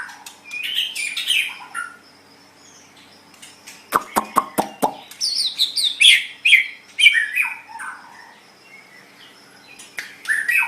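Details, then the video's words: White-rumped shama, a pet songbird for tutoring, singing scattered bursts of high varied notes with a series of sharp clicking knocks and pauses. "MASTERAN GACOR - Suara Burung Murai Batu"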